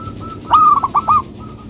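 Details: Local zebra dove singing its melodious rhythmic song: one short, soft cooing phrase of a few bubbling notes, with quiet background before and after.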